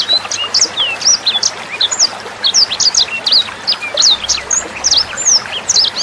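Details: Sanger bird song used as a tutor recording for training young sangers and other songbirds: dense bursts of sharp, high whistled chirps and slurred upward and downward notes in quick runs, with soft trickling water underneath.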